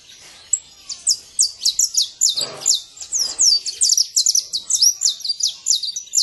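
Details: Song of a wild saffron finch out in nature: crisp, high descending chirps repeated in steady succession, with a short low rustle around the middle.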